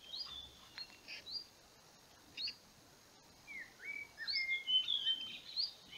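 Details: A Slavonian grebe building its nest gives high, squealing whistled notes that slide up and down in loose bursts, growing busier toward the end over a faint background hiss.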